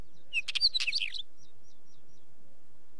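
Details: A wheatear delivers one short, fast phrase of scratchy twitters and squeaky whistles, with quiet echo-like ticks repeating afterwards over a soft background hiss.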